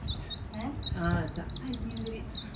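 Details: A little domestic chicken chick, a stray rescued and given water and grain, peeps repeatedly: short, high, slightly falling chirps about every quarter second, with a brief low human voice in the middle.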